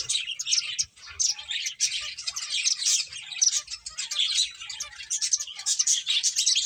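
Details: Finches playing together, a continuous busy chorus of thin high chirps and tweets overlapping without pause.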